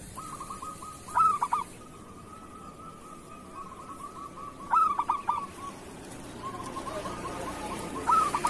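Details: Cooing local zebra dove, kerot type, used as a tutor recording. Three brief stuttered coo bursts, roughly three to four seconds apart, joined by long, soft, level purring trills.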